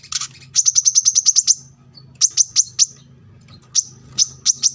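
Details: Brown-throated sunbird (kolibri kelapa) gacor song for training cage birds, taped by a roadside: a quick run of ten high, sharp chips, then spaced groups of similar notes, with a faint low hum behind.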